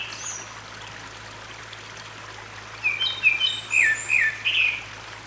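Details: Grey-backed thrush (Turdus hortulorum) singing in a valley at Sinwonsa Temple, Gyeryongsan Mountain, Republic of Korea, recorded 6 May 2022: quiet running water at first, then a burst of clear whistled, slurred phrases with sharp high notes in the last seconds.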